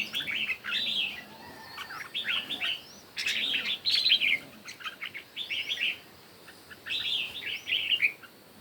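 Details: Morning red-whiskered bulbul competition song: bright warbled phrases of a few notes each, given in four spaced bursts, with quick chirps in between.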